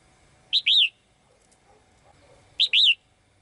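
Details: Caged female bird singing to call the male: two bright high phrases about two seconds apart, each a sharp rising chip followed by an arched, downslurred whistle, over a quiet background.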